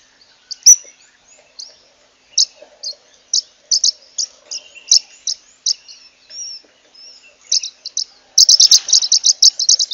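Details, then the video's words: Zebra waxbill (Amandava subflava) calling with a string of short high tinkling chirps, spaced at first, then speeding into a rapid dense trill of notes near the end. "Bico de Lacre Zebrado(Amandava subflava)"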